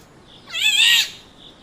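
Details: Black-naped oriole giving a single harsh, nasal, mewing call that swells and fades within about half a second, recorded on a mobile phone or digital camera.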